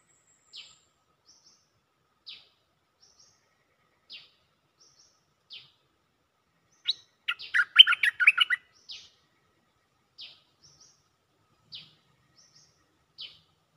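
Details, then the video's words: Cream-vented bulbul repeating its call to attract a mate: evenly spaced short downslurred notes with faint high whistles between them, broken midway by a rapid, loud, gurgling chatter. "เสียงนกดอกแตงEp.155 สับไม่หยุด!! เสียงเรียกคู่ เพลงดี ร้องวน Suara pikat merbah lekir gacor"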